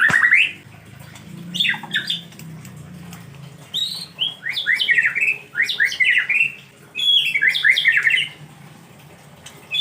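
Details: Rainy-season white-rumped shama, reluctant to bathe, singing lively, varied phrases of rapid upslurred and downslurred whistles in bursts, with a quiet low hum beneath.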